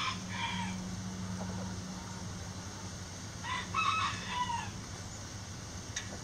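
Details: Backyard chickens relaxing in their coop: a low steady drone at first, then a brief harmonic crow with a wavering, slightly falling tail, sounded once over background hiss.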